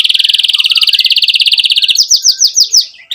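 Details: Canary in full chirping voice, played to stimulate young canaries to learn song and to restart birds that stopped singing: a fast, even, high-pitched trill for two seconds, then a series of higher rising swept notes, loud and close.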